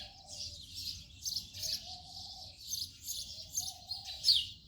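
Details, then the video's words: Chirping of house sparrow: a steady stream of short, high, scratchy chirps, evenly spaced and overlapping, a softer low tonal murmur underneath. "House sparrow sound effect"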